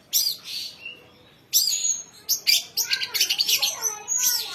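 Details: Young songbird that holds its own against seasoned contest birds: sharp high calls, a short pause, then a fast stuttering sequence of bright chirps and whistles.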